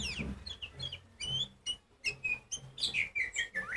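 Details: Loud song of an Oriental magpie-robin (kacer poci), used to make silent magpie-robins answer and sing loudly. Many short whistled notes and slurred phrases are strung together at a lively pace, with faint low background noise.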